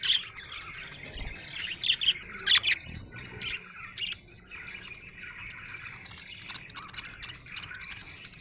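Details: A happy budgie chirps, giving bursts of bright squeaky chirps in the first three seconds, then settling into softer continuous chattering warble with occasional sharper notes.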